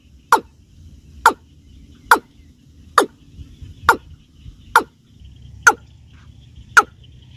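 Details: Watercock, the keb-keb of local hunters who play its voice as a lure: eight short, gulping, knocking notes spaced roughly a second apart, slightly uneven in timing, with low background noise.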